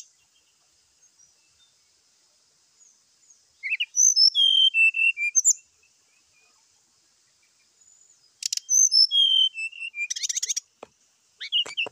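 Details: Morning fighting sound of a brown-chested jungle flycatcher, meant to stir other birds of its kind to sing: two bursts of high whistled notes that step downward, followed by rapid buzzy trills and clicks, separated by silence.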